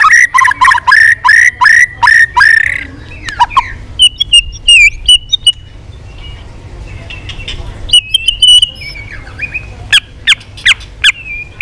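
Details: White-rumped shama in competitive, many-voiced song: a rapid series of rising whistled notes, then scattered high thin notes and sharp chips with quieter pauses between.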